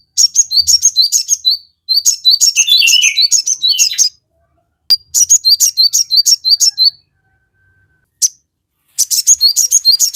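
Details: Lively song of a crested jay, used to provoke birds into responding: dense bursts of fast, high chirping with short whistles, separated by several second-long silences, one burst dropping briefly into lower warbled notes.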